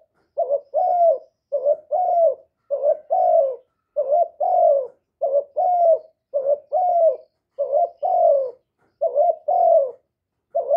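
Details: Loud, urgent calling of a young male spotted dove, a caged decoy bird: low mellow coos in short-long pairs, repeated in a quick steady series across ten seconds, with a clean, quiet background.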